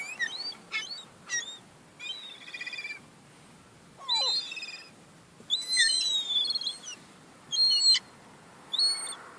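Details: Young gulls fighting over crumbs, giving a run of sharp, high squealing and whistled calls in short bursts, some rising and falling, with a lower descending squawk near the middle and a faint hiss of outdoor background.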